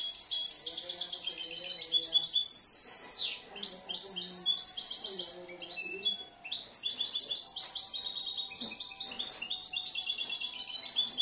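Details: Song of a year-old European goldfinch, a bird said to vary, mix and compose freely: long runs of fast metallic twitters and trills, broken by two short pauses, with faint low sounds behind.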